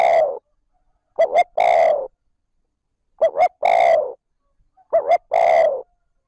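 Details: Spotted dove calling 'trơn ròng' to stimulate wild birds. A drawn-out coo is followed by three more phrases, each a short double note and then a broad, hoarse coo. Pauses between phrases are clear and there is no background noise.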